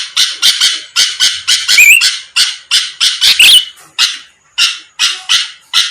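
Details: Sooty-headed bulbul sounding off to provoke a quick reply from rival birds: loud, harsh, buzzy bursts repeated about three times a second, with thin wavering whistled notes rising near the middle, and brief pauses between runs.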